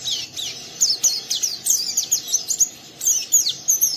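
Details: Young oriental white-eye prompting another to sing with a rough ngeriwik chatter; rapid, thin, high twitters and sliding whistled notes, several each second.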